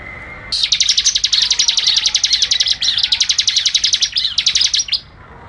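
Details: A sustained fast trill of high, sharp, evenly spaced notes from a bar-winged prinia, running almost five seconds without a break, for training cage birds.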